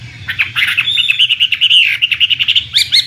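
A Chinese Hwamei sings a fast, rich run of loud whistled and warbled notes, repeated rapidly at a high pitch, with a low hum underneath.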